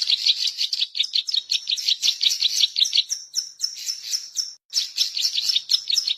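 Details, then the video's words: Lure recording of a zitting cisticola: fast, high chattering chips and tinny ticks pour out continuously, briefly give way to a few thin drawn-out whistles, stop for a split second, then the rapid chatter resumes. "suara burung Cici Alang Alang gacor siang malam buat pancingan dan masteran"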